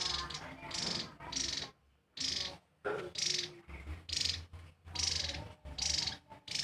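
Javan tesia giving short, very high, bright bursts of song, roughly one a second, over a low steady hum.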